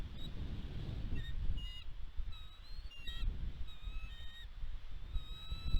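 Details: Bald eagle pair on the West End nest, Catalina Island, California, USA, 29 March 2022, caught by nest cam amid food deliveries. Scattered high chirping whistles, some slightly rising, come in loose bursts through buffeting wind.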